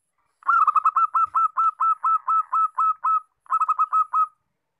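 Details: Long unbroken run of crisp, evenly repeated cooing notes from a local zebra dove, about four per second, ending after a short pause with a quicker cluster.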